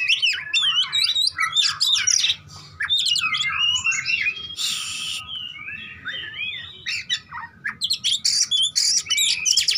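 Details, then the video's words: Oriental magpie-robins fighting, a recording to provoke a silent bird into singing: quick looping whistled notes repeated in fast series, broken once by a short burst of noise, then rapid chatter resumes. "PANCINGAN KACER TARUNG ATASI KACER MACET DENGAN SUARA"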